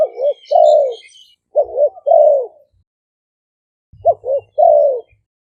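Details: Two caged Malay-strain Spotted doves singing a lively decoy song in Roi Et, Thailand: rounded low coos in three phrases, quick paired notes ending in a long sagging tone, a gap midway, soft thumps and faint twitters in the background.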